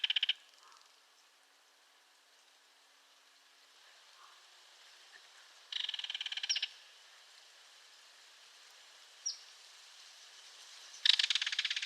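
Belted Kingfisher giving loud, dry, harsh rattles in three bursts roughly five seconds apart, with one short sharp note between, over a faint steady hiss.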